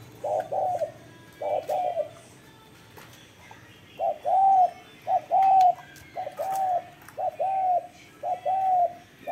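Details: Spotted dove cooing hard: low, mellow two- and three-note coos, each phrase ending in a slightly falling hoot, repeated about once a second in short bursts, with faint background hiss.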